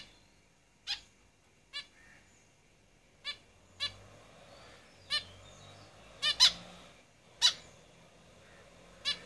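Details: Zebra finches in a cage calling: crisp, nasal beeping notes repeated roughly once a second, some doubled, against a quiet background.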